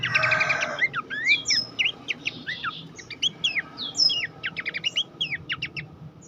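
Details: Horsfield's babbler master recording for training songbirds: opens with a loud harsh burst, then clear upward-sweeping whistles and quick chirps spaced through the remaining seconds.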